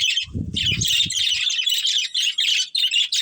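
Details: Pair of breeding budgies chirping in quick scratchy bursts, a low rustling thud in the first second, then unbroken high warbling.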